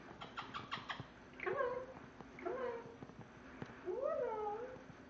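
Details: Caged pet parrot, a female, copying a cat. A few rattly clicks come first, then three clear meows, each rising then sliding down, the last longest.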